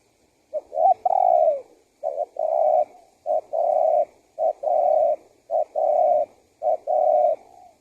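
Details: Spotted dove cooing, used to lure wild doves: six low coo phrases about once a second, each a short note followed by a longer, steady hum-like coo, in a quiet setting.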